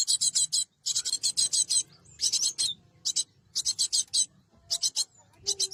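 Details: Cinereous tit used as a lure for trapping birds: harsh, buzzy rasping bursts of rapid pulses, each under a second, repeated in quick series with brief gaps.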